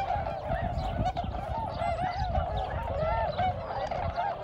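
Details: Tundra swans massed in their spring gathering at the Alymer Wildlife Management Area in Ontario, some 1522 birds present. A steady wall of soft, nasal hooting and bugling calls from many birds overlaps without pause, over low rumbling background noise.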